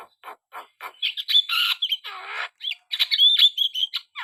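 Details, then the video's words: Black-winged starling singing vigorously: scratchy notes build into a loud harsh wheezing burst, followed by a low grating rattle and then bright whistled squeals. "burung jalak kebo gacor"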